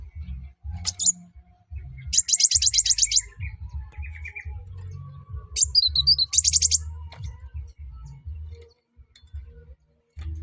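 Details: Sunbird singing vigorously, used to prompt other birds to sing: two bursts of rapid, buzzy high chirps in fast series, with scattered softer notes and a steady low rumble underneath.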